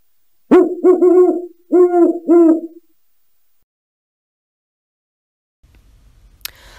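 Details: Great Horned Owl in Idaho, a species whose males have deeper voices than females, giving a deep, soft hooting series: a stuttered opening, then paired hoots over about two seconds, then quiet with faint rustling.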